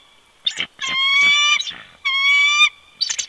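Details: Bald eagle pair dueting at the old nest snag at Big Bear Lake, California, in winter, 22 February 2020, from a live nest camera; sharp staccato chips alternate with two long, level, harmonic squealing whistles.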